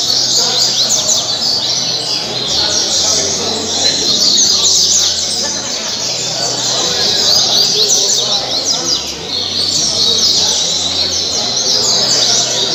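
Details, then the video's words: Captive double-collared seedeater, caribe style, from Angra dos Reis; long run of high, quick, buzzy-edged notes in repeated phrases, with a low intermittent hum. "Coleiro caribe 226 cantos"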